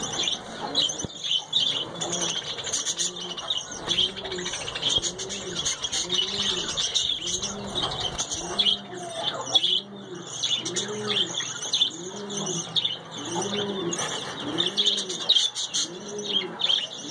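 Budgerigars chatter in a dense, scratchy, high-pitched warble while a dove coos low and steadily behind them.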